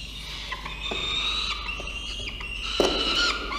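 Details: Five-week-old Peregrine falcon nestlings calling at the nest on a camera feed, evening of 7 November 2023; high, strained, harmonic whining notes rising and falling, several overlapping, with a brief clatter partway through and steady background hum.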